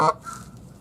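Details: A Canada goose at the Save Our Seabirds bird rescue in Sarasota, 2 March 2019, gives one short, brassy, nasal honk at the start, followed by a faint background murmur.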